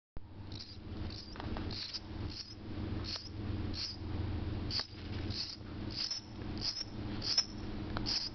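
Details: Bird living inside a house chirping at a person: short, high, thin chirps, roughly two a second at an uneven pace, over a steady low indoor hum.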